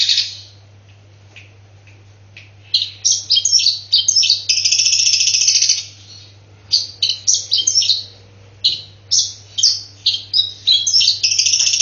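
Long-tailed shrike gives harsh, scratchy chattering in quick bursts, imitating squabbling sparrows, with short pauses between phrases over a steady low electrical hum.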